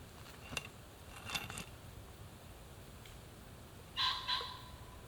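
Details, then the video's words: A common pheasant gives its harsh, abrupt two-note crow near the end, two loud rasping bursts in quick succession, after a few dry knocks and clicks, in Europe in September. "That was the crowing sound of a pheasant."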